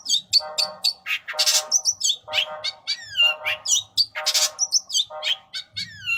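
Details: Long-tailed shrike with a lavishly filled song: a varied jumble of high whistles, rapid descending slurs, harsh rasping bursts and scratchy chatter, shifting quickly from phrase to phrase.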